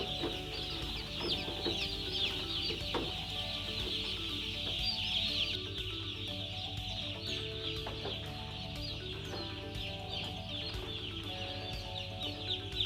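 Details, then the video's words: Broiler chicks peep in a dense, continuous high chorus of quick, overlapping chirps. A steady low humming drone runs throughout, with a few sharp clicks. "Broiler chicks"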